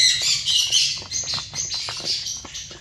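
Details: Many zebra finches in a colony chatter together, a continuous buzzy, nasal wash of high calls that is loudest at the start and slowly fades over three seconds.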